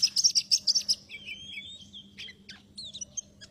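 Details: Oriental magpie-robin song used to lure birds into traps: opens with a loud, rapid rattle of high repeated notes, then long sliding whistles and scattered sharp chips.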